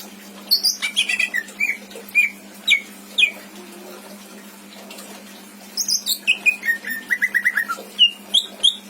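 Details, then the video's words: Greater green leafbird kept as a pet in Indramayu, singing richly borrowed phrases used to teach other birds: scattered high sliding whistles, a quiet pause, then a fast descending cascade of whistled notes and chips. "Burung cucak ijo isian mantap!!!"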